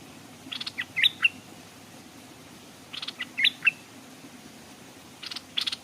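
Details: Stripe-throated bulbul kept as a decoy by a stream, with wild birds coming near but not landing. Short clicking bursts followed by quick, bright whistled notes, heard in three groups roughly two seconds apart.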